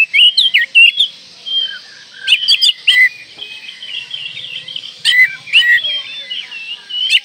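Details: Oriental magpie-robin in breeding condition, song to provoke rivals: quick whistled slurs and twitters, interrupted twice by bursts of sharp clicks, then softer warbling.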